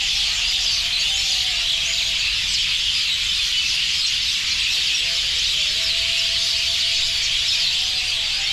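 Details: A huge gathering of roosting birds keeps up a relentless chirping chorus over ground whitened by their droppings; shrill overlapping tweets fill every moment, with faint sliding lower tones in the background.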